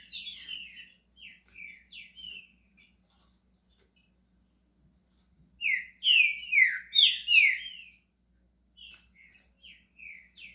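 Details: Pet green-winged saltator in Brazil starting its song: soft scattered whistles, a pause, then a loud burst of rich slurred whistled phrases lasting about two seconds, followed by quieter short whistles.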